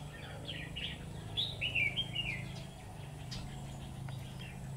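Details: Trap-side Red-whiskered bulbul decoy giving a quick phrase of chirpy, rising-and-falling whistles, with faint clicks and a low hum behind.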